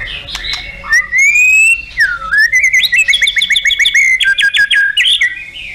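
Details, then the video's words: White-rumped shama, a competition songbird, delivering a clear rising whistle followed by a fast series of repeated sharp notes and sliding whistled phrases, loud and continuous. "TEMBAKAN MURAIBATU & ISIAN LENGKAP"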